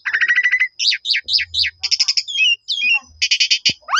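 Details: Black-collared starling song played as a lure to make other starlings respond: a quick buzzy rattle, falling whistled notes, repeated chattering bursts and a final sharply rising whistle.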